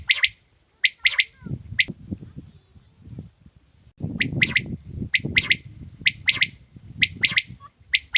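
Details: Male quail giving sharp, high triple-note phrases, each a quick clipped pip-pip-pip, repeated roughly every second with a short pause midway, over steady low rumbling background noise.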